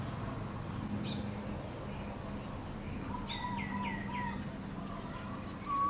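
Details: An Asian koel gives its mating call, a quick run of four clear, slightly curved whistled notes over a steady low rumble of background hum.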